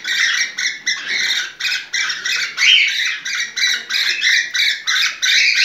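A cockatiel gives rapid, harsh, squawking chirps, about three a second, as a breeding-season mating call.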